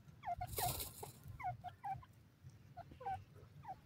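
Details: Partridge known as dakhni teetar making a rapid series of short, downward-slurred notes in small clusters, with a brief rustling hiss early on and steady low background noise.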